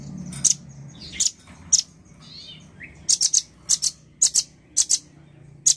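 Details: Male nuthatch in lively voice: scattered piercing high chips, later settling into evenly spaced pairs of sharp notes, with a couple of brief lower slurred whistles in between.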